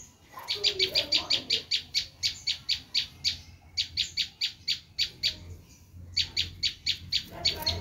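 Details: Bar-winged prinia giving its screaming call, recorded for luring wild prinias: fast runs of harsh, buzzy, high chip notes, several per second, in bursts separated by short pauses, over a faint low hum.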